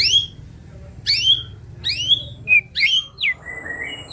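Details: White-rumped shama song used to train other songbirds: clear, loud whistled phrases, each a sweeping downslur, repeated roughly every second, with short sharp notes and a faint drawn-out whistle near the end.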